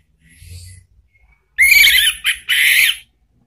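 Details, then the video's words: Orange-headed thrush lure song played to make a kept bird answer: after quiet low murmurs, a loud harsh, buzzy burst of song breaks off briefly, then resumes in a second rich, rasping phrase. "jangan heran kalau ANIS MERAH mu seketika NYAUT ¦ PANCINGAN NGEPLONG"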